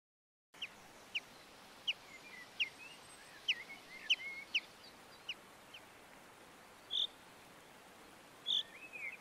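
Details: Common chaffinch recorded in the Montes de León, Spain, in March 2022: short, sharp ticking notes spaced irregularly over several seconds, with softer whistles from other birds behind them.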